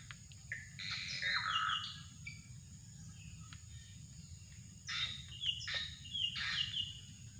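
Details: Drongo heard in a bird-luring recording: two loud bouts of harsh, scratchy notes and downslurred whistles separated by a quieter stretch of faint chips, under a constant high insect hum.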